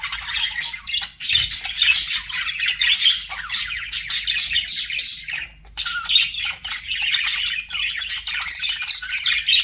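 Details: Flirting budgies pour out dense rasping warbles and clicking chirps, pausing briefly near the middle before the chatter resumes just as busily.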